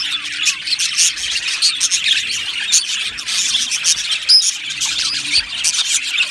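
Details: Budgie aviary chorus of many birds chirping and warbling at once, quick repeated squeaky notes, a short clear whistled note near the middle, and a faint low hum.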